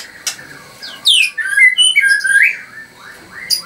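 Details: Captive white-rumped shama at an Anyer, Banten bird farm, song meant to provoke rival birds: a burst of high descending whistles then rolling slurred phrases, with quieter pauses before and after.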